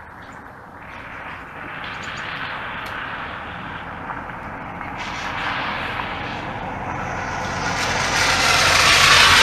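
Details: Broad, rushing engine noise that grows steadily louder toward the end, like an approaching vehicle, with no animal call heard.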